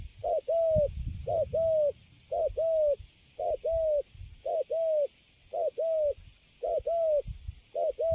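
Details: Young wild-caught spotted dove, newly caged and standing calm, cooing in the Cấn Sấm style: a short low note then a longer smooth one, paired phrases repeated about once a second, with faint low rustling beneath.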